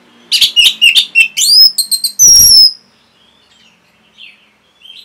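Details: Orange-headed thrush song used as a training recording for caged birds: a quick run of varied chirps and whistles ending in a loud harsh burst, then faint soft notes and quiet background.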